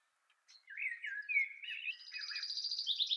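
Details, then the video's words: Male common chaffinch singing near the nest in spring, from mid-February: a bright descending series of whistled notes accelerating into a rapid trill and ending with a flourish, clear against a quiet background. "Soyez attentifs, vous reconnaîtrez son chant"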